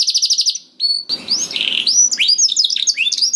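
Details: Canary song used as a lure to prompt a quiet canary to sing: rapid high trills of repeated notes, then slurred rising and falling whistles and chirps, with a brief low rustle in the middle.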